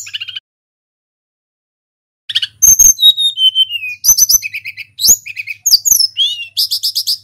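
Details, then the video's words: Wild-caught local mountain tledekan, used as a lure to provoke caged birds into singing: after a short opening chirp and two seconds of silence, rapid high whistled notes, falling slurred whistles and dense buzzy trills follow in a busy stream. "SUARA TLEDEKAN GUNUNG FULL GACOR | Pancingan burung sulingan bahan supaya EMOSI & cepat bunyi"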